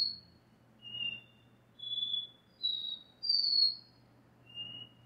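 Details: Double-collared seedeater from a breeder giving its classic 'dó ré mi repetidor' song: pure, high whistled notes, each held about half a second, alternating slightly higher and lower pitches with short pauses. A faint low hum sits in the background.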